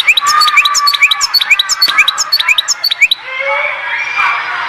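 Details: European goldfinch from Oued Zhour, Skikda, singing a quick run of sharp, rising twittered notes for about three seconds. A softer, hissing warble with a low whistled note follows.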